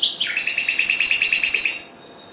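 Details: Four-month-old goldfinch hybrid that has just begun to sing: a rapid, regular series of bright, high twittering notes lasting nearly two seconds, then quiet.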